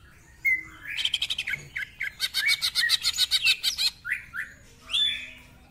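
A greater green leafbird sings a loud, varied burst: a clear whistle, a fast rattling trill of harsh chattering notes, then bright slurred whistles.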